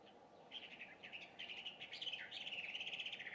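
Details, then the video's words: Dawn song of an introduced Chinese hwamei in Japan, early June 2019: fast bubbling whistled notes, a quick falling slur, then a rapid repeated trill, over low steady hum. "これって何の鳥の囀り? ガビチョウ"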